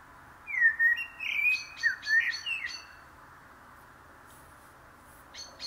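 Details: Common blackbird delivering a string of clear, rolling, flute-like whistled phrases over about two seconds, then quiet with a few faint high notes at the end.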